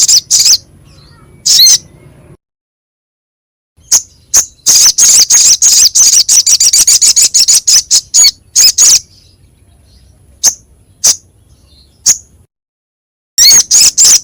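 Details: Crescent-chested babbler (sogok ontong) training song, described as rough and sharp: scattered harsh hissing notes, then a long rapid chatter of rasping bursts, with several silent gaps between phrases.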